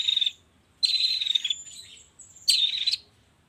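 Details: Long-tailed shrike lure sound for prompting shrikes to sing in the morning: buzzy, trilling bursts with a sliding whistle between them, repeated three times.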